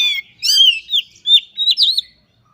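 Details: Short burst of Oriental magpie-robin 'ngobra' display song full of learned phrases: about five loud slurred whistles, rising then dropping, with a buzzy edge, then silence.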